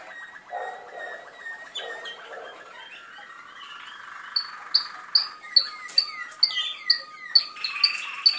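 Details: Malinois canaries from Skopje in song: soft rolling, gurgling phrases at first, then a steady tonal roll with sharp bright clicking notes repeated about twice a second over it.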